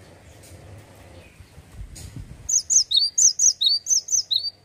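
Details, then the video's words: Male cinereous tit singing vigorously: a quick run of about nine high, sharp notes falling in pitch, repeated about every quarter second, after a quiet start with faint background rumble. "GELATIK BATU JANTAN LAGI ONFIRE...GACOR NGEPLONK"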